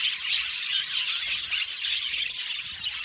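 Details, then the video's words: A chattering flock of budgerigars gives rapid, irregular chirps and squawks in a tight, bustling stream. "Beautiful budgies chirping sound | Budgies sound for lonely budgies"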